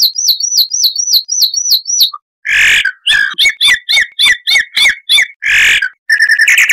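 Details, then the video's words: Chalk-browed mockingbird with a harsh voice, a tutor recording for cage birds. A chain of high wavering whistles, then harsh rasping bursts with clipped repeated notes, closing in a rapid high trill. "Masteran Burung Luar Negeri Suara Kasar - Chalk-browed Mockingbird (Mimus saturnin)"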